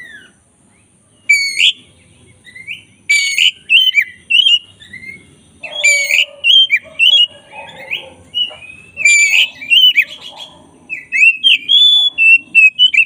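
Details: Black-breasted white-rumped shama, kept caged, sings a long master song: harsh rasping notes alternating with bright whistles and rapid chattering phrases, almost continuous, over a faint low hum.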